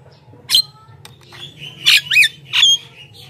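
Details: Javan myna vocalising to lure wild mynas: a grating squawk, then raspy bursts blended with a rising and falling whistled note, all high-pitched above a low steady hum.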